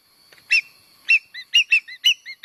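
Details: Common green magpie calling for luring: harsh buzzy notes alternating with short clear rising whistles, in a quick irregular sequence over a quiet background.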